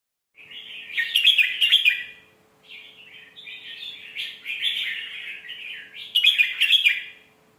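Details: Red-whiskered bulbul song in a refined phrasing style, played to teach young birds: warbled, slurred phrases of varied notes, with two louder bursts of rich notes near the start and end, separated by short pauses.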